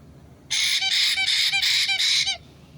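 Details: White-bellied caique parrot, recorded 6 April 2022, letting out a burst of five harsh, grating screeches that run almost together over about two seconds, over a quiet low background hum.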